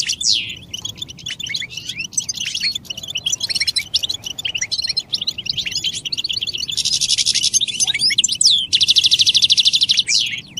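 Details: European goldfinch mating and readiness calls used to stimulate silent males to sing: dense, rapid high twittering with liquid chirps, interrupted by two loud buzzy, rattling trills lasting about a second each.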